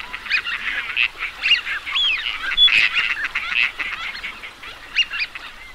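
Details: Teal ducks calling as a flock, a dense overlapping chorus of short, high, whistled and nasal notes and chattering calls, with brief clear whistles standing out every second or so throughout.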